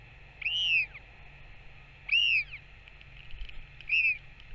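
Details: Adult Northern royal albatross feeding its chick on 21 May 2024, giving three loud, clear arched wails spaced about one and a half seconds apart against a quiet background hiss.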